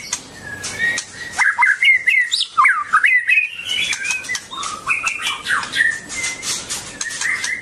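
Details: Singing, dancing white-rumped shama (Copsychus malabaricus) gives a rich, varied warble: quick whistled slides and trills, rising and falling. Phrases run together for several seconds, with sharp clicks scattered throughout and brief pauses between bursts.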